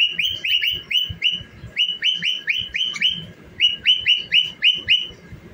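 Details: Pet cockatiel singing as it dances, repeating crisp up-and-down whistled chirps in short runs separated by brief pauses, with faint low background noise.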